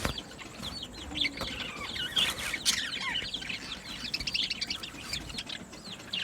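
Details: Aviary colony of budgies singing and chirping: a dense stream of quick, looping, warbled notes with rising and falling twists, several birds overlapping continuously.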